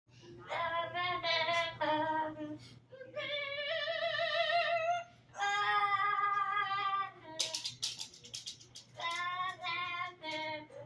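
A parrot sings in a voice-like warble: sustained, tuneful phrases with wavering pitch, broken by short squawky notes, over a low steady room hum.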